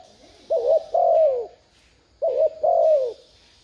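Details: Spotted dove cooing as a lure for wild doves. Two low phrases, each a short warbled note then a longer falling coo, with a soft high buzzing band in the background.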